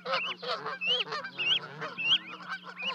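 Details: Canada geese at Charlo, Montana, on 12 May 2020, as two goslings leap from a 30-foot-high nest to join their parents: dense, overlapping honks and high arched notes in quick succession, over a steady low hum.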